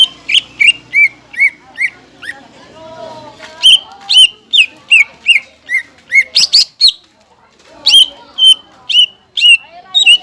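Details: Greater green leafbird song used as a lure for caged leafbirds: groups of sharp whistled notes slurring downward, repeated in phrases with short pauses, plus a brief burst of harsher notes midway.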